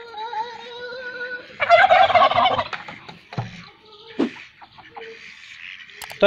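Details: A turkey answers a drawn-out human shout of the takbeer with a loud, rapid, rattling gobble lasting about a second, followed by quieter clucks and background noise.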